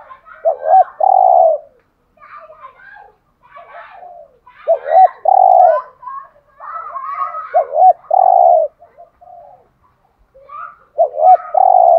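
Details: Spotted dove in "giọng hạp" style, a full set of calling, urging and cooing phrases used to rouse caged males; low hollow coos in repeated phrases about every three seconds, each with quick rising lead-in notes and one long held coo, with soft murmurs between.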